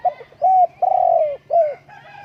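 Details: One full coo phrase from a spotted dove: a quick pickup note, a rounded coo, a long sustained falling coo, then a short closing coo, all soft and low.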